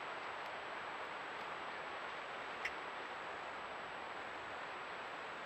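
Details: Steady broadband hiss with one faint tick midway and a thin high tone, with no animal calling.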